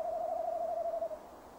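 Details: Single tremulous hoot of about one second from a male tawny owl calling near its nest box at 17:10 on 15 December 2015, fading into low hiss.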